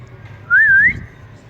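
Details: Single clean whistle from a pet ring-necked parakeet, a talking bird enjoying cool weather: a brief wavy tone rising, dipping, then climbing again, about half a second long.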